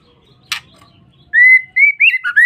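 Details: Female white-rumped shama calling to lure or provoke males: after a single sharp click, a string of sliding whistled notes, a long level tone, then quicker rising and dipping chirps.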